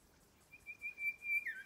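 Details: A male golden whistler on the Popes Glen Walk, Blackheath, Blue Mountains, NSW, gives one long, pure, steady whistle, then drops briefly before a sudden upward flick; otherwise quiet.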